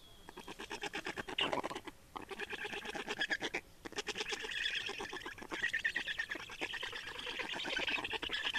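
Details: Estonian black storks changing over and feeding at the nest on 30 May 2019, afternoon: rapid rhythmic rasping pulses, like a fast train of harsh clicks, with hoarse higher wheezing notes building toward the end.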